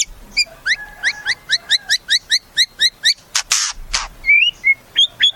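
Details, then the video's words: White-rumped shama singing a rapid series of short rising whistled notes, about four per second, then a loud harsh burst and a few clear slurred whistles. "Suara Murai"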